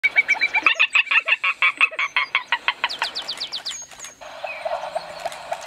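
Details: Spot-flanked gallinule in Conceição do Coité, Bahia, Brazil, giving a fast run of nasal clucking notes, about six a second, turning into sharper downslurred chips before fading into background hiss.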